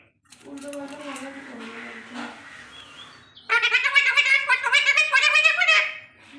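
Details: Alexandrine parakeet kept as a pet and taught to talk, giving harsh nasal vocal phrases that grow louder and rapid in the second half, without background sounds.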